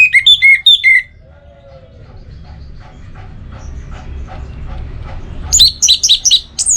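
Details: Caged orange-headed thrush giving bright, slurred whistled notes in a quick series, a pause with faint rustling and clicks, then a higher, chattering run of sharp notes at the end.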